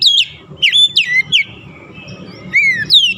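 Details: Oriental magpie-robin song used as a lure to stimulate stressed, silent birds into singing: loud, clear whistled phrases sweeping down and up, separated by short pauses, over a faint low rumble.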